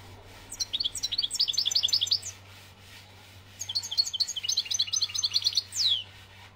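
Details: A European goldfinch from Algeria sings two twittering phrases of rapid high chirps separated by a brief pause, the second ending in a clear descending whistle; steady low hum underneath.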